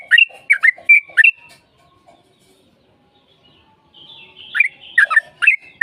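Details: Sooty-headed bulbul lure song in fighting style with long phrases, used to prompt a reply: a quick string of five bright chirps, about two seconds of near silence, then another fast chirping run.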